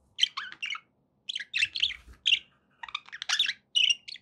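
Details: Pet budgerigar chatter: quick clusters of bright chirps, warbles and buzzy notes in short bursts with tiny gaps between them.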